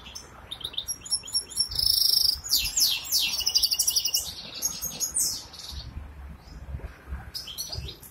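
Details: Song of a goldfinch hybrid from Ankara, Turkey: tumbling bright twitters, metallic trills and a sustained thin whistle, dense for several seconds, then sparser scattered notes with a soft wing flutter.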